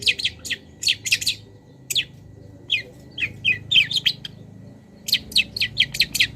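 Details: Long-tailed shrike master song used to train cage birds, packed with wild-bird imitations: quick runs of sharp, high sweeping chirps in tight clusters, broken by short pauses, over a quiet low background hum.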